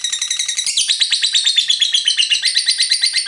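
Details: Lovebird 'ngekek panjang' long chatter, offered as a prompt so other birds sing: a shrill, rapid rattling trill with a brief pitch change early on, then steady pulsing notes.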